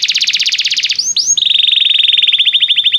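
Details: Canary song used as training to get a pet canary singing: a fast buzzy trill of repeated high notes, then two rising swoops and a steady, even trill held to the end.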